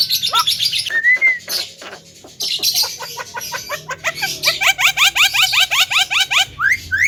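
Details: Javan myna song said to stir up other birds: a short high whistle, then scattered harsh, noisy notes, ending in a quick run of upward-flicked notes and two rising squeals.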